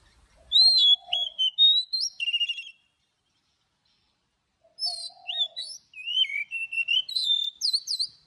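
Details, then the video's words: Forest-style morning singing with long notes from an Oriental magpie-robin: two rich phrases of sliding whistles, trills and quick upsweeps, each opening beside a faint low coo in the background. "Chòe than hót Giọng Rừng Đi Âm Dài cực hay"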